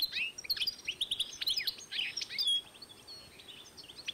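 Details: 2012 recording of a goldfinch-canary hybrid: a hurried run of high chirps and slurred twitters that fades to near silence toward the end.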